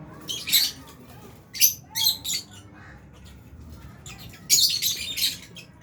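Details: Albino and Fisher's lovebirds in an aviary with budgies, enjoying food, give clusters of shrill chirps and scratchy squeaks in bursts, with short pauses between groups.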